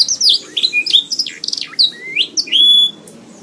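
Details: Canary song recorded for training songbirds: high chirps and rising whistles in separated bursts, ending with a long, pure, steady whistled note before silence.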